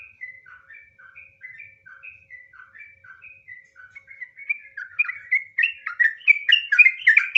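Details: Trucukan, or sooty-headed bulbul, opening softly with evenly spaced, clear, short whistled notes at a steady pace, then building into a louder, faster, bubbling ngropel warble.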